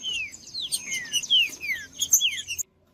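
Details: Green-winged saltator singing, used to stimulate cold, silent saltators into song: a series of loud, clear whistled notes that slur downward, given in quick overlapping phrases, with a steady high thin tone behind and a brief pause near the end.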